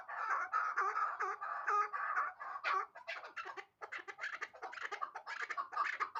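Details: A young hybrid chukar hatched the year before calls in a rolling series of throaty clucks, about two per second. The sequence starts smooth and strong, then turns choppier and more uneven.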